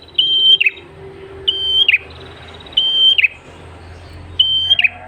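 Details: Red-headed tailorbird singing for luring other birds: four spaced whistled notes, each with a short falling chip, over a steady low background hum and hiss.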